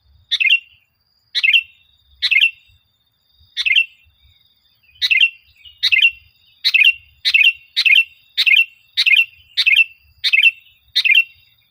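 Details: Lure song of a sooty-headed bulbul, played to build a kept bulbul's confidence and singing: rapid bright chirpy phrases, about a dozen in quick succession and closer together toward the end, each a short bubbly burst.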